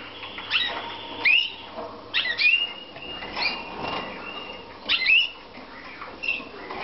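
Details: Slavujar-type canaries from a Romanian breeding aviary, 2014: short, bright, rising whistled notes in quick bursts, recurring every second or so over a soft background hiss.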